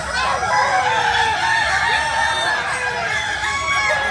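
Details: Several Kukuak Balenggek cocks, a breed native to Solok in West Sumatra, crow at once. Their long, quavering crows stack into a loud, steady wall of sound with no pauses.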